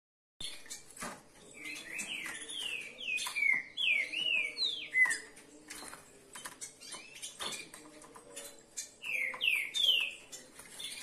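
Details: Several kept green-winged saltators singing: clear slurred whistles that sweep down and up in short bursts, two phrases separated by a pause, over steady sharp clicks, rattles and a low background hum.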